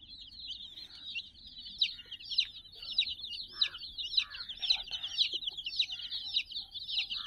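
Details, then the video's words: Sixty young domestic chicks crowding playfully around a teddy puppy toy; a dense, continuous chorus of shrill peeps, each sharply down-slurred, overlapping at a quick uneven rate, with occasional softer lower cheeps beneath. "silly chicks chirping"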